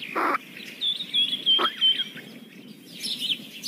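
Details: Kingfisher chicks, very young, begging as a parent feeds them: a wavering high whistled chatter of rapid notes, framed by two loud thuds, then a brief buzzy burst at the end.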